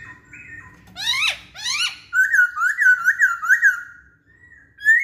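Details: Song of a masked laughingthrush, offered as a lure for other songbirds: soft level whistles, two loud steep downward-swept notes, then a wavering string of rapid whistled notes and a final upward whistle.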